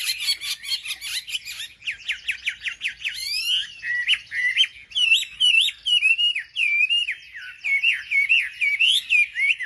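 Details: Lure song of a wambi for stirring up other wambi birds: rapid trilled notes open, then a varied string of sharp whistled chirps, many bending up and down, repeated about twice a second.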